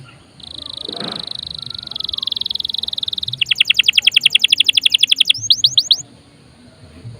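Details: Canary in full song, used as a lure to set other caged birds singing: a long steady buzzy trill, then rapid repeated bright notes about fourteen per second, ending in a few rising whistled slurs, with a faint low background hum.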